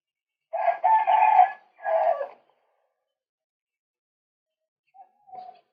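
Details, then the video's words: Male white-breasted waterhen, recorded as a lure for trapping, gives two loud harsh croaking bursts in quick succession, followed after a pause by a faint short note. "เสียงนกกวักตัวผู้ รับประกันความหมาน"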